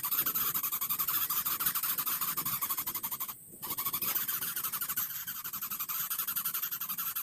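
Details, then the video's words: Baby greater coucal demanding food, showing strong appetite and its characteristic voice growing loud; a rapid, raspy, pulsing series of calls repeated about four times per second, with one brief pause midway. "BAYI BURUNG BUBUT MULAI MENGGILA"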